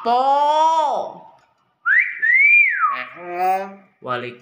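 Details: Clever talking common hill myna whistles a rising-then-falling phrase between human voices, with a man's speech before and after the bird's clear tonal glide.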